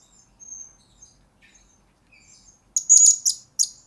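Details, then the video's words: Blue-crowned hanging parrot lure and master recording for training birds: soft, thin high whistles at first, then a sudden loud burst of shrill trilled chirps and one sharp closing note. "Pelapis Bakal2 Pemikat Mr.Taripas Ini Sudah Dilamar Orang"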